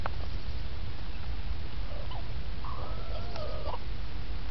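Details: Bantam rooster in a garden giving one drawn-out, steady harmonic call lasting about a second, preceded by a few faint short notes, over a constant low rumble of wind.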